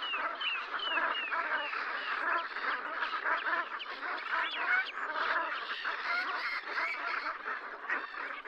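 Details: A wintering flock of brent geese on Strangford Lough, County Down, Northern Ireland, gives a continuous chorus of throaty, guttural honks. The calls overlap into a steady, bubbling murmur that holds the same level throughout.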